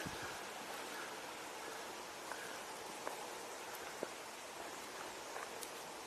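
Outdoor hiss of rain or running water, with a few scattered drips and faint taps, and no animal voices.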